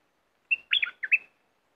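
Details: Aggressive red-whiskered bulbul, a caged bird used against wild rivals over three days: a short bright phrase of five quick whistled notes, one clear opening note then a rolling, slurred cluster with falling and rising turns, about a second long, clean background.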